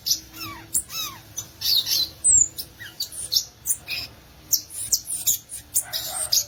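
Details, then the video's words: Violaceous euphonia (gaturamo verdadeiro) singing a varied run of thin, high chirps, squeaks and short slurred whistles in close succession, with some lower descending slurs early on. "Belíssimo Canto do Gaturamo Verdadeiro, ou Guriatã"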